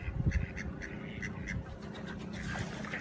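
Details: Ducks quacking: short nasal quacks come in a quick burst at the start, then a few scattered, softer quacks over a low rumbling background.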